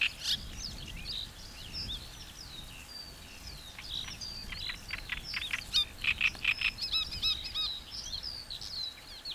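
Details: Great reed warbler singing, also called a concert, with short bursts of repeated chirping and croaky syllables. Phrases are broken by gaps and grow louder and denser near the end over a faint low rumble.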